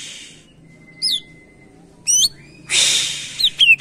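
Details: Greater green leafbird, a caged bird singing actively, its song used to spur other birds into singing: a few short whistled upslurred notes, a thin held tone, then a loud harsh rasping burst and quick sharp notes.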